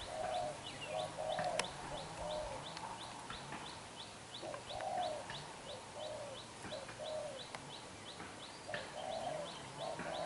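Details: Newly caught young spotted dove with black eyes, cooing fiercely in đập gù style: bursts of low, hollow coos in clusters, while thin, high, rapid chirps from other small birds run through the background.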